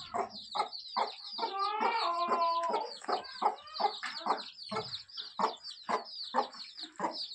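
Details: Kadaknath chicks, small black baby chicks being handled, giving a steady stream of soft high peeps roughly twice a second, with a louder stretch of overlapping trilled cheeps in the middle.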